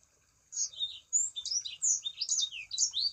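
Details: Short sequence from a Sangihe shrike-thrush singing as a lure for other sanger birds: clear, high, downslurred whistled notes given in quick succession after half a second of quiet.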